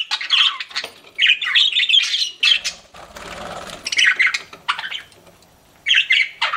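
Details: Pet budgerigars chirping indoors: bursts of scratchy, warbling chatter with short squawks, broken by a noisy rustle and a brief pause before the chatter resumes.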